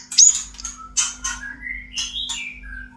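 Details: Caged white-rumped shama in breeding condition, singing a mating song: harsh, scratchy bursts followed by a thin rising whistle and a lower slurred note, with a steady low electrical hum underneath.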